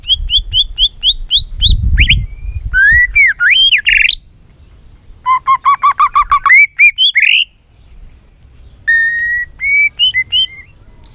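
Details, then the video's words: White-rumped shama, a trigger recording meant to excite the bird into singing many varied phrases and flicking its tail: clear repeated whistled notes, then rising and falling whistles, a rapid burst of clipped notes and more looping whistled phrases, with a low thump near the start. "Kích Chòe lửa hót nhiều giọng, Căng lửa, chòe lửa đánh đuôi kích cực nhạy.luyện chòe lửa hót nhiều"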